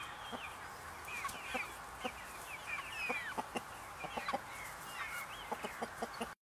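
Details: Buff Brahma chickens clucking, short soft clucks and brief rising squawks scattered through the clip over a steady background hiss.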